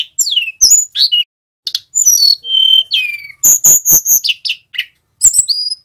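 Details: Male Sunda robin practising the ngerol song, used for training other birds: a rapid varied medley of high swooping whistles, slurred downward notes, a steady pure tone and loud repeated chattering notes.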